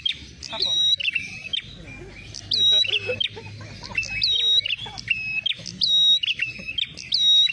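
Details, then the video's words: Ashy tailorbird calls used as a bird-trapping lure: sharp high whistles and chirps repeated in lively bursts, with soft human voices audible underneath. "jitu pikat prenjak merah suara pancingan"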